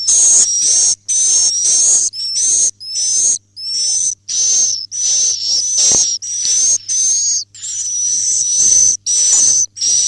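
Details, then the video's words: Roosting swiftlets: dense high buzzy chirping with thin whistled tones on top, bursts about every half second with brief pauses, over a faint low hum. "suara burung walet inap"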